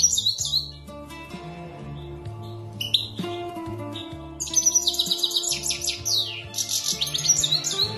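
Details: Singing European goldfinch delivers quick runs of bright, liquid twittering and sharp high notes in bursts, with a gap mid-phrase, all set against continuous background music with deep held notes.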